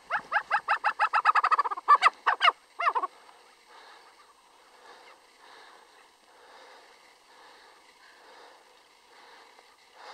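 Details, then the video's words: A snowcock at Gokyo Ri in Sagarmatha National Park, Nepal, gives a fast run of about fifteen cackling notes that speed up over three seconds, then a few louder, sharper notes, followed by faint wind. "The sound of snow chicken"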